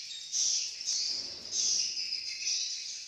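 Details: Swiftlets in Malaysia giving high, rapid twittering chirps that swell into loud bursts about once a second over a continuous shrill chatter.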